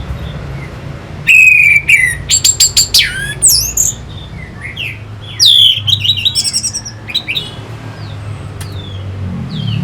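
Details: Orange-headed thrush song used as a lure to rouse fighting birds: a clear whistled note near the start, then bursts of harsh, buzzy, broadband notes and twisting whistles, with a low steady hum underneath.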